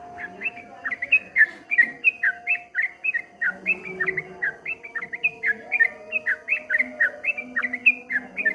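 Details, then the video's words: Rapid 'ropel ngombak banyu' song of a streak-eared bulbul: a long unbroken chain of bright slurred chirps bouncing up and down in wave-like rhythm, with low droning tones in the background. "suara burung trucuk kebo bunyi ropel ngombak banyu"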